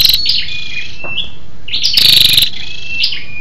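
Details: Female scarlet-backed flowerpecker giving a lure call to stimulate males: high, thin whistled slurs and chips, then one brief buzzy pulsed rattle, with more thin notes trailing off.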